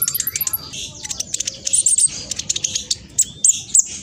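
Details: Very active black sunbird with quick, busy song: a stream of sharp, high-pitched ticks and chirps, irregular and rapid, with piercing whistled notes toward the end.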